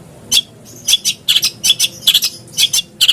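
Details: Long-tailed shrike lure to make a caged bird sing; scratchy single and doubled chips in irregular bursts.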